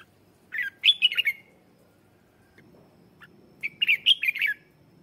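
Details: Red-whiskered bulbul used as a lure, singing to call wild birds: two quick, bubbly phrases of slurred whistled notes, separated by a pause of about two seconds, over soft low background noise.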